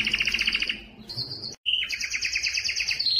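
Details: Male Belgian canary singing to stir females for breeding: bright rolling trills around the upper register, a brief silent break mid-way, then a rapid buzzy trill sliding into a high sustained rattle.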